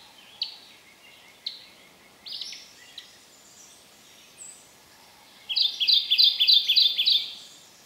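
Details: On a cold, drizzly, breezy morning at Land Between the Lakes, Kentucky, a male Kentucky Warbler in dark understory gives a ringing series of about seven rapid repeated two-note churring phrases, preceded by scattered sharp chips and short notes from nearby birds.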